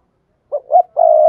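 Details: Spotted dove lure call meant to set other doves calling. After silence, two short low notes lead into a long steady coo, cut off at the end.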